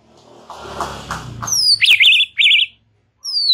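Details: White-rumped shama singing in a relaxed chatter style, used to lure young and forest-caught shamas: after a burst of rustling noise, two zigzag whistled phrases and a high sliding note.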